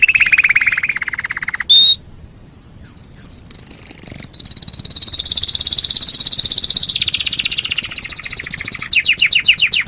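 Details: Canary song used as a master recording for training other birds: a buzzy trill near mid pitch, a lone whistle, upslurred notes, then a long fast high trill closing in rapid descending notes.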